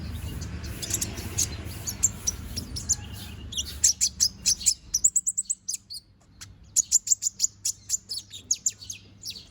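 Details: Young konin bird growing its feathers, singing energetically: high twittering over low rumbling noise, then clear rapid sequences of sharp, repeated chirps and squeaky notes in quick bursts.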